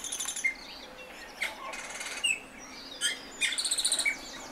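Austral thrush singing high, thin whistled phrases and sharp chirps, ending in a quick run of about eight rapid repeated notes, over a faint steady hiss.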